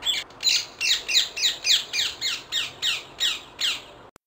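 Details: Wild rose-ringed parakeet giving harsh, grating squawks, about eleven in a row at roughly three per second, each a rough descending screech, with a faint click at the end.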